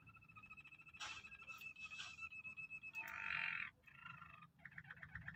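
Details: Canary described as an original foreign canary, singing rapid rolling trills with steady tonal notes, a dense buzzy burst in the middle, then fast repeated pulses; a low background rumble throughout.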